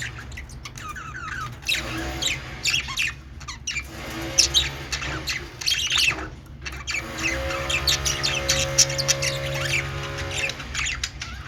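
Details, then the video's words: Budgerigars chirping: a dense, continuous chatter of squawks and twittering notes with no pauses, over a steady low hum. "Budgie parrot sounds | Australian parrot sounds | birds sounds | parakeet chirping sounds"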